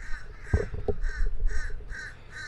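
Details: A group of crows calling while fallen trees are cleared after Hurricane Milton. Harsh, nasal caws come in a quick series of about six, each roughly half a second apart. A few thumps and a brief voice are heard early on.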